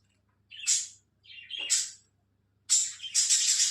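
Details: Alexandrine parakeet, a pet bird, calling naturally: three loud, harsh, raspy screeches, each under a second, spaced over nearly four seconds, with a faint low hum behind.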